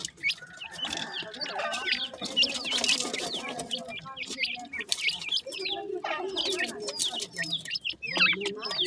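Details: Morning feeding of young grey francolins raised in captivity; many chicks cheep in quick high downslurred notes, a continuous twittering mass with a faint low murmur beneath.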